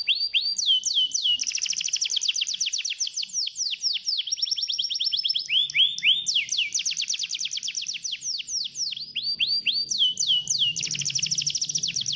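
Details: Canary singing to coax a lazy canary into song: a continuous energetic stream of quick chirping trills and repeated notes, with downward and upward whistled sweeps marking phrase changes.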